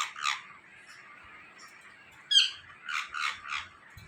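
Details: Indian ringneck parakeet kept as a talking parrot, giving a harsh scratchy squawk, a sharp high-pitched screech, then three rough, evenly spaced squawks about a third of a second apart.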